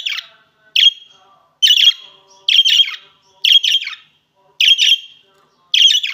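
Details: Budgerigars of the opaline green and opaline blue varieties chirping repeatedly: bright, high, slightly rasping single and double notes spaced about a second apart, clear against near silence.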